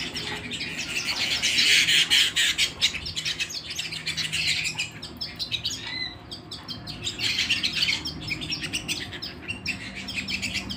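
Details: Canary song recorded indoors at home: loud bursts of fast buzzy trills and twittering that swell and fade in waves, sharply chopped notes repeated rapidly, with a steady low background hum.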